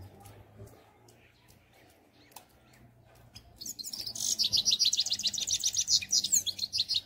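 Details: European goldfinch song: quiet faint ticks at first, then after about four seconds a loud, rapid, buzzy and tinkling high twitter of fast repeated notes.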